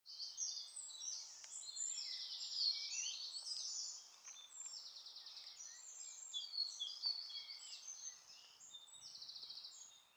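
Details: White wagtail at Sterrebos, Sint-Michielsgestel, Netherlands, on 14 May 2015, giving a continuous, high, lively twitter of chirps and short buzzy trills; overlapping notes suggest more than one bird nearby.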